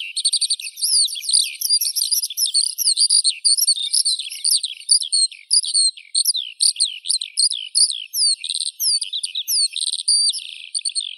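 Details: Eurasian skylark singing dense, high-pitched twittering with rapid repeated chirps and downward-slurred whistles, continuous throughout.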